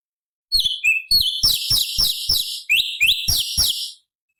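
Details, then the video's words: Bulbul known locally as cucak cungkok, high-octave song material used as a training model for other songbirds: a few slurred whistles, then a fast run of bright downslurred chirps, roughly three per second. "Masteran Cucak Cungkok Istimewa ~ Suara Asli Hutan Materi Variasi Oktaf tinggi"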